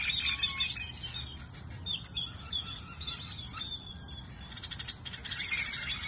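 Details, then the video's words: Hundreds of birds chirp at sunset in Goodyear, Arizona, producing a busy layer of thin high twitters and short whistled notes, several callers overlapping throughout. "Birds chirping"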